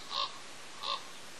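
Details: A raven calls at the Pelican Harbor bald eagle nest on Father's Day, giving two short, harsh notes about three quarters of a second apart against a constant windy hiss.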